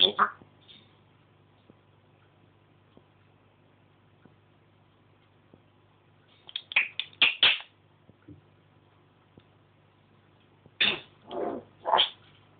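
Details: African grey parrot kept as a pet, chatting and mimicking speech and sounds: an opening squawk, a long quiet stretch, then rapid clusters of clipped, voice-like syllables.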